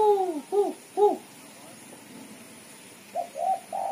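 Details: Female spotted dove giving a lively chattering call, used as a lure: three quick falling notes, a pause with faint background murmur, then three rising, stretched notes, with a steady high electronic whine throughout.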